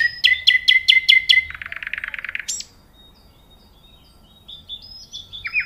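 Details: Nightingale singing: a run of five loud, clear repeated notes, then a fast buzzy rattling trill, a brief high flourish, a pause, and soft high whistled phrases to finish.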